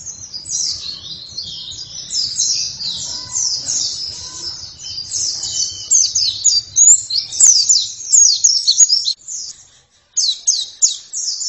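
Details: Oriental white-eye (pleci) pouring out a long, continuous stream of high, scratchy twitters and slurred chirps, with a low rumble early on and a brief break near the end.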